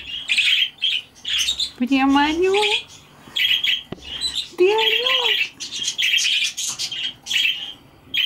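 Budgerigars chatter in quick, bright chirps and warbles, with a lower voice-like sound rising twice.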